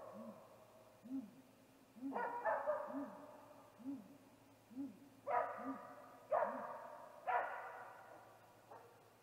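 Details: Great gray owl male vocalizing at its snag tree nest on the evening of 21 April 2019, shortly before a nest visit; low rounded hoots in a steady run, with loud rasping bursts breaking in over them.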